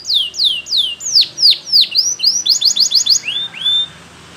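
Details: A yellow Spanish Timbrado canary delivers a training song of repeated downward-sweeping whistled notes, a quick burst of clipped chips, and two upward slurred whistles before fading.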